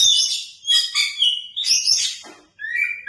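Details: Oriental magpie-robin in a lavish singing style, delivering bright, fast-changing phrases of high whistles and chattering trills. A short silence comes before a rising whistled note resumes the song.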